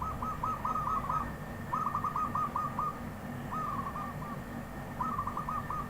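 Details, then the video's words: Wild zebra dove song, four phrases of quick staccato coos, each a short trilled run of soft mid-pitched notes, spaced by brief pauses, against a constant low background hum. "Perkutut Liar"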